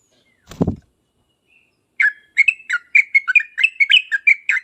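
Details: A low thud, then a yellow-vented bulbul starts a brisk series of clear chirps and slurred whistles, used as a lure to make other birds reply.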